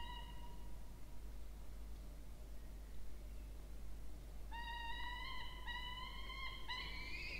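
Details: Two Peregrine falcon chicks at a water-tower nest box in Orange, New South Wales, Australia, being fed on 20 October 2024. A single whining note opens, then a long pause, then a run of sustained, harsh, nasal wails that grow louder.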